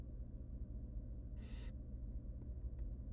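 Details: One drawn-out hissing screech, about a third of a second long, from a hungry tiny barn owl nestling as the mother feeds her three wild young in a nest box, over low rumbling hum.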